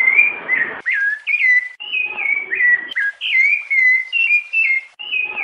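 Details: Piedade-style song of a rufous-bellied thrush, meant for training young birds: loud, fluty whistled notes in short descending and rising phrases, repeated briskly with brief pauses between.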